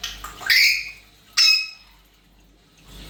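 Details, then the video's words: African grey parrot giving two loud, harsh squawks in quick succession, each sweeping upward, followed by quiet indoor background. "Africangrey# Non stop talking and making sound"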